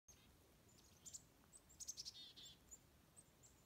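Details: Chickadees in a forest give thin, high, quick notes, then a short run of buzzier, lower notes, faint against a soft, steady outdoor hiss.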